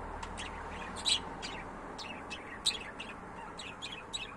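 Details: Pet budgerigars chirping: a run of short, bright, downward-sweeping chirps, several per second at times, with two louder notes standing out, over a steady low background hiss.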